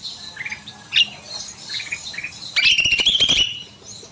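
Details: Bulbul singing in an aviary in the evening: scattered soft chirps, then a loud buzzy, rattling trill near the end, held for about a second with rapid pulses.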